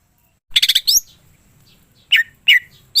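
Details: Greater green leafbird giving a fast, rattling trill of high notes, then a rising whistle. Two separate slurred, downward-falling whistled notes follow later. A faint low background rumble is present.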